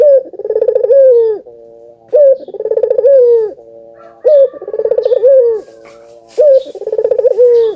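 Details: Albino ringneck dove song used to prompt doves to call: loud rolling, pulsed coos ending in a falling note, followed by soft steady hums, repeated regularly about every two seconds.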